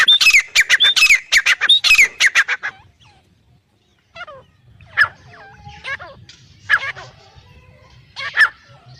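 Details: Black francolin, male and female: a rapid burst of loud, harsh, clipped notes for about two and a half seconds, then near silence broken by a few faint scattered calls.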